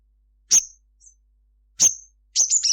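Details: Sogon sunbird at midday; two sharp, high, descending notes, then the start of a fast, high twittering phrase.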